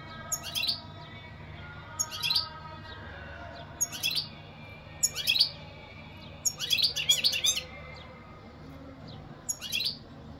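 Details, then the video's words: European goldfinch giving sharp, chirpy twittering bursts at uneven spacing, some running together into a longer chattering run near the end. "اقوا واجمل تغريد حسون"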